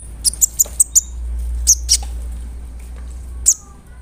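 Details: Brown-throated sunbird in strong voice, a lure recording meant to anger other sunbirds. Five quick, very high chirps, a pause, then scattered sharp notes over a steady low hum.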